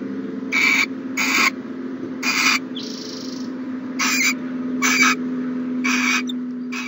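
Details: Morning at an owl nest box, 1-14-20: repeated short rasping screeches with a softer drawn-out hiss early on, set against a pronounced steady low-pitched hum.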